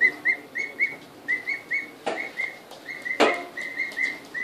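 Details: Young emu chicks, two weeks old and newly arrived, calling as they first see the house: paired and grouped whistled peeps at one steady pitch, broken by two sharp clattering knocks.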